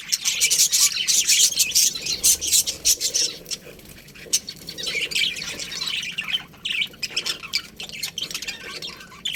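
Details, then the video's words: Many budgerigars chirping in a colony: fast, dense, shrill twitters and squeaks, several per second, loudest at the start and then thinning into scattered calls. "Cute Budgies Chirping Sounds"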